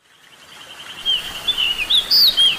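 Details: Flycatcher, possibly the tledekan or "sulingan" kept as a songbird in Indonesia, named for its flute-like voice, gives clear, high whistles sliding up and down in quick phrases over about a second and a half above faint hiss.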